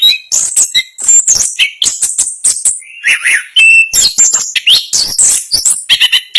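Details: Chestnut-capped thrush, a national contest champion, singing its fast, tightly packed rolling song; dense run of sharp chirps, trills and whistled notes, varied in pitch, delivered almost without pause.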